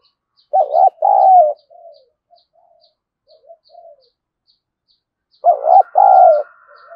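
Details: Spotted dove used as a decoy to goad rivals into fighting. It gives two loud, throaty, wavering coo phrases several seconds apart, with soft quiet coos and faint steady ticking between them.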